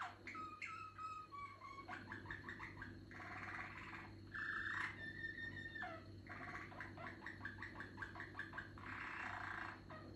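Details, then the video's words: Young Malinois canary whose song is still maturing, singing quiet tours: rapid repeated notes, short rolls and long steady whistled notes held for about a second, over a low constant hum. "Canario pio vaca de canto malinois ,cuajando"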